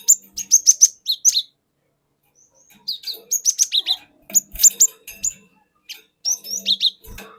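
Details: Cinereous tit lure song from a forest bird: repeated runs of five or six fast, high, falling whistled chirps, each run followed by a brief pause, with faint low rustling.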